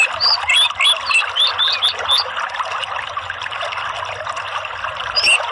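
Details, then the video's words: Orange-headed thrush singing for a 'ngeplong' lure meant to coax other birds into song: rapid series of clear, varied whistled notes in the first two seconds, quieter, then a final whistle, all over constant water-like trickling. "TERAPI ANIS MERAH UNTUK MEMANCING BUNYI ¦ PANCINGAN NGEPLONG ¦ KICAUAN"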